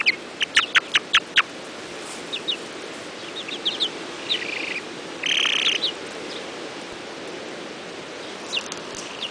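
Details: Faverolles and Polish chicks dust bathing: a hen trills while another throws dirt. A quick run of high peeps opens, then scattered chirps and a short buzzy trill midway, over steady scratchy background noise.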